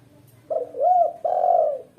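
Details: A female spotted dove, offered as a lure and master sound for beginners, gives a two-part hoarse coo and then a long sustained coo, a new coo beginning at the end.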